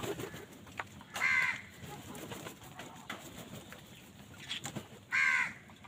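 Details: [['Crows squabbling over food give two harsh, grating caws about four seconds apart. Quiet rustling and soft background noise fill the gaps between them.']]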